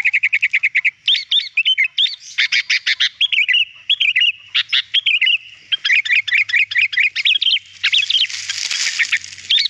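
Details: Sooty-headed bulbul song played to train a captive bird to sing: a fast string of rapid repeated notes opens a long, busy flow of bubbly warbled whistles and chirps, ending with a rough, hissy stretch.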